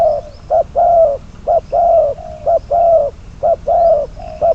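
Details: Spotted dove used as a trapping decoy, number 22, repeating soft low coos in a regular long-short pattern, each long note slightly falling, with faint thin high sounds behind.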